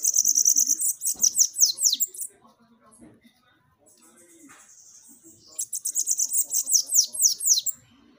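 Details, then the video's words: Bananaquit song used to stimulate captive birds: two long runs of thin, very high, hissing notes with quick downward slurs, fast and sputtering, separated by a quieter gap with faint background sounds. "CANTO para FOGUEIA SIBITE, deixe seu SIBITE FOGOSO!"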